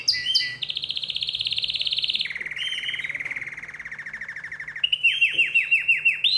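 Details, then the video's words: {'text': 'Excited canary singing: a high rapid trilled roll held for about two seconds, dropping to a lower buzzing trill, then a run of repeated swooping whistled notes; faint steady low hum behind.'} "تغريد كناري هائج"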